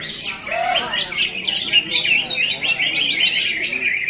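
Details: Contest-singing greater green leafbird at a bird competition in Ngunut, Tulungagung, delivering a fast, continuous run of bright warbled chirps and quick wavering notes, one lower downslurred whistle near the start.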